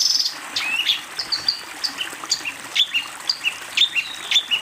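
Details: Cendet, the long-tailed shrike, in a master recording meant to train young birds: varied short whistled and chipped notes, some slurred downward, some sharp clicks, delivered in a quick irregular sequence without pauses.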